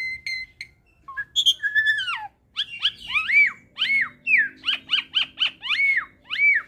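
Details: Caged hybrid starling (Jalak Suren x Jalak Nias) in an 'ocehan' master recording: brief whistles, a long downslurred whistle, then a run of arched whistled notes repeated roughly twice a second, clean background.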